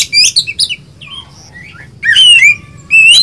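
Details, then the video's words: Kacer (Oriental magpie-robin), a kept songbird described as gacor and ngobra, of poci or local type, singing loud whistled phrases with sweeping rising notes in two bursts separated by a quiet gap with faint notes. "Kacer gacor ngobra poci vs lokal lebih bagus yang mana?"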